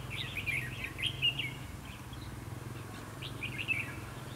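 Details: Red-whiskered bulbul singing at a trap set to provoke fighting: lively, rolling warbled phrases of quick liquid notes, a burst at the start and another near the end, with a low hum beneath.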